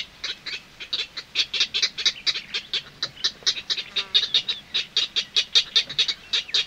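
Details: Purple heron (Ardea purpurea) chicks give a rapid run of dry, sharp bill-clicks and harsh squawks, about four to five a second, with a faint nightingale calling in the distance.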